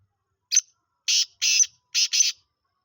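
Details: Young black francolin, five months old, giving its first calls: a short clipped note followed by two pairs of loud, rasping, scratchy notes, each pair about a second apart, over a quiet background.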